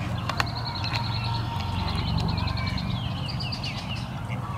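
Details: Wood duck ducklings at High Park, apparently scared, give rapid, high, thin peeps, several each second, in short runs over a steady low background rumble.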